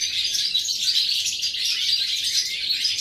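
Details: Quick, liquid twittering of a European goldfinch, recorded 11 September 2018, with sharp whistled notes scattered through a dense, continuous jingle.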